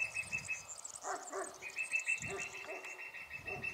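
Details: Lesser spotted woodpecker singing near meadows where a pair of white storks forage beside their nest, with a male hawfinch also present. A thin, even series of rapid high notes runs on, with lower barking-like sounds breaking in.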